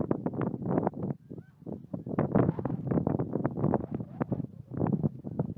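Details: Northern shovelers at Leola Lake, McPherson County, South Dakota, on 16 March 2014 give low, nasal, clipped calls in quick irregular bursts, several birds overlapping, with wind rumbling against the microphone.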